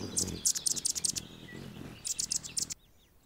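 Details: A male Anna's hummingbird defending its territory while a female feeds a baby in the nest gives rapid, very high, sharp chips in two quick bursts of about a dozen notes, over a faint low rumble.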